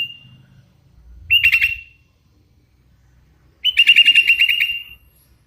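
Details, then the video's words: Hand-reared Sooty-headed Bulbul, an avid singer, giving two bouts of fast stuttering whistled trills, the second longer with about ten quick pulsed notes. "Suara ASLI kutilang LOLOHAN GACOR"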